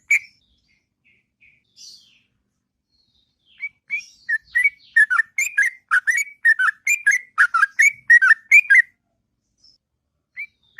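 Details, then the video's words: Sooty-headed bulbul in the morning, starting with a few scattered soft whistles, then breaking into a fast, bubbly ngropel run of whistled notes lasting about five seconds, before falling quiet. "Burung Trucuk Ngropel Panjang & Merdu Di Waktu Pagi"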